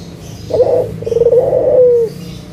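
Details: Single phrase from a local Barbary dove lure: a brief opening note, a tiny gap, then a drawn-out rolling low coo that glides downward before stopping.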